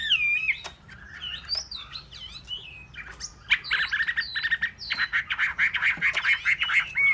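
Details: Hwamei song: clear looping, rising and falling whistles, then a fast, dense stream of sharp repeated notes that grows loud and rhythmic toward the end.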